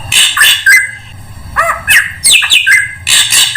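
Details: Drongo song used as a lure to attract all kinds of birds: harsh, broadband squawking bursts mixed with short whistled notes and quick downward slurs, in clustered phrases with brief pauses.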